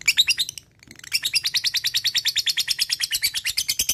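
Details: Fighter lovebird chattering ngekek to summon a rival bird: a loud burst, a short gap, then a long steady stream of fast, piercing, buzzy notes about four to five per second.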